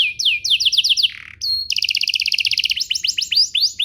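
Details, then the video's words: Lure song of a canary to make other canaries reply: quick downswept whistles, a rasp, then a fast steady roll of paired notes and a run of sharp sweeping syllables. "Pancingan Burung Kenari agar CEPAT BUNYI, terbukti ampuh bikin burung kenari lain nyaut"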